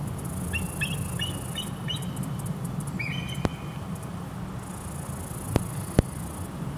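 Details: A female bald eagle in Humble, Texas, calls her mate on 9 October 2022 with thin, high chittering whistles in two quick bursts, faint beneath distant traffic rumble and a few sharp clicks.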